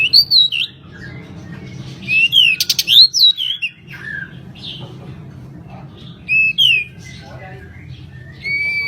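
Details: Pied bushchat, called kacer mini, in full chattering song for a tutor recording: looping whistled phrases with sharp up-and-down slurs, a fast clicking buzz in the middle, pauses between bursts, then a steady high whistle at the end.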